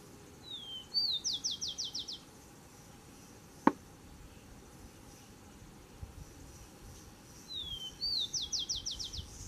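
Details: Rufous-collared sparrow singing to defend its territory: two songs, each a high whistled slur falling then rising into a fast buzzy trill of descending notes, with a sharp click between them over low background noise.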